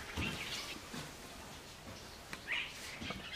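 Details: A male Dark-capped Bulbul (Pycnonotus tricolor) sings in courtship to attract a female, giving two brief, bright chirruping phrases about two seconds apart over a steady background hiss.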